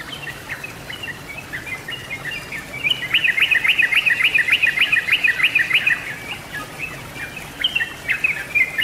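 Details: Yellow-vented bulbul, a lure recording for birds; after a quiet hissy start, a dense chattering stretch of quick sharp chirps sets in at about three seconds and runs on, fading slightly near the end.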